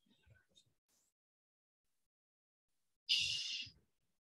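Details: Red-winged blackbird song: a single harsh, raspy, not very pleasant burst lasting under a second, after a few faint bits of a man's voice.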